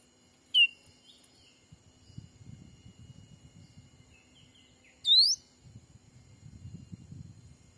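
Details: Black-capped bulbul lure call for attracting wild birds, played while trapping in a Sumatran forest. Two widely spaced whistles, one falling and one rising, over a low, steady rumble of background noise.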